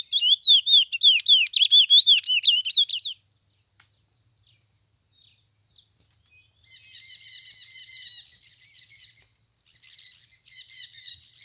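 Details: White mutation chestnut-bellied seed finch with a loud three-second run of rapid, swooping whistled notes, followed by quieter, faster chattering twitters further off.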